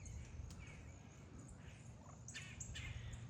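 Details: Feeding wild turkey flock, calm and content beside a person, giving soft purring and popping sounds: two brief buzzy bursts close together near the end, plus faint quieter notes, with constant low-frequency background noise.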